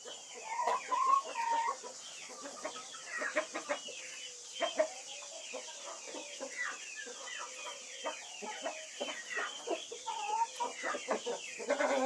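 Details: A flock of White-faced Black Spanish chickens keeps up a steady chorus of clucks and brief squawks over about twelve seconds, with a few louder cackles standing out among the overlapping calls.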